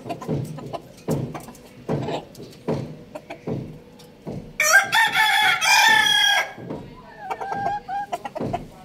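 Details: Rooster crowing loudly: one long, harsh, strained crow lasting about two seconds with a rough, wavering tone, preceded and followed by low rhythmic thumping sounds.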